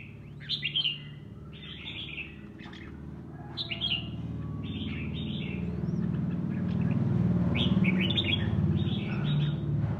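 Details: Red-whiskered bulbul, a pet cage bird, sparring in song; a string of quick whistled, chattering phrases repeated every second or two over a steady low rumble that swells later.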